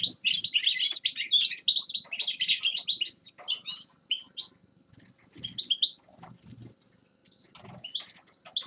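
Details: Dense high twittering from a grey-crowned goldfinch for about three and a half seconds, thinning into scattered short chirps and pauses, with faint low rustling.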